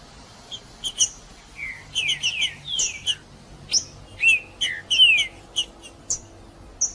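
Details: Green-winged saltator singing in an excited male state, used to stimulate other saltators. Short chirps and sharp ticks mixed with clear whistled notes slurring downward, in bursts with brief pauses between them.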